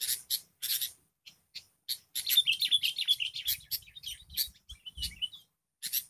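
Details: Wild sooty-headed bulbul answering a lure bird during trapping, a run of rapid bubbly chattering notes mixed with sharp clicks and snaps, some short pauses between bursts.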